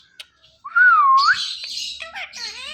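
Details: Talking ring-necked parakeet imitating sounds: a smooth whistled note dipping and rising, followed by harsh, buzzy, broadband chatter with layered tones.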